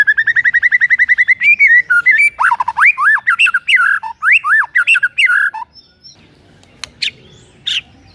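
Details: White-rumped shama song meant to make a rival shama start singing in the morning: rapid repeated notes leading into loud, varied whistles and slurred phrases, then a pause with a few sharp chips.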